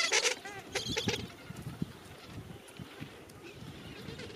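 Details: Gentoo penguins in a crowded breeding colony at the end of summer, thousands of birds together; harsh braying, bleat-like calls with stacked harmonics burst out early, then fade into a low murmur of distant colony chatter.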